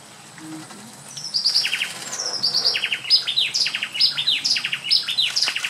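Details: An American pygmy kingfisher with a rufous belly in Costa Rica gives rapid, thin, high chipping notes, sharp downslurred ticks in quick uneven bursts, over a quiet background.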